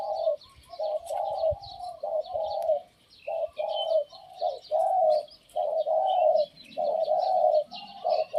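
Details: Spotted Dove kept as a decoy, giving a series of deep, rolling coos that come in clustered phrases broken by brief gaps. Faint high-pitched chirping from other birds is heard behind.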